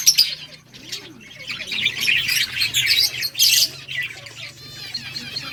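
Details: Several budgerigars in a breeding setup chirp while playing, a busy, buzzy chatter of overlapping high notes that swells midway, over a faint low drone.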